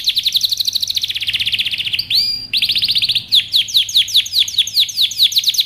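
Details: Canary song with a rapid, even high trill, a brief buzzy rising sweep, another trill, then a string of quick downward-slurred notes repeated several times a second.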